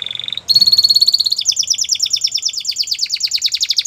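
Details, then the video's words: Spanish Timbrado canary singing a training song: a steady high whistled tone, then a long, fast, bubbling roll that steps up slightly in pitch and continues evenly. "Spanish Timbrado Canary | Canary Training Song"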